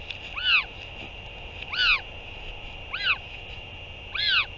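Northern royal albatross giving four short, nasal, rising-then-falling calls roughly a second apart, over a steady background hiss of wind.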